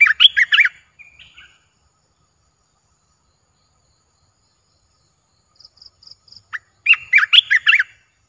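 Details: Caged olive-winged bulbul, a new bird in a keeper's camp, recorded 29 June 2021: two short bursts of bubbly, warbled notes at the start and end, with faint high repeated ticks and near silence between them.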